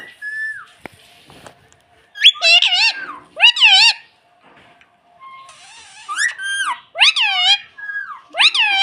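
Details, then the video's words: Pet rose-ringed parakeet (talking parrot) mimicking human speech, saying "mummy": two bursts of voice-like, harmonic syllables with wavering pitch, each lasting about one and a half seconds, separated by quiet gaps with faint clicks and a short soft whistle. "Bolne wala tota || talking parrot || mummy bolne wala tota"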